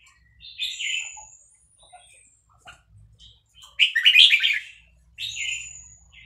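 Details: Red-whiskered bulbul of Vietnamese stock, caged and excited by playback of young-bird calls, gives bright warbled notes, then a loud rapid phrase, with thin high whistles and a faint low hum beneath.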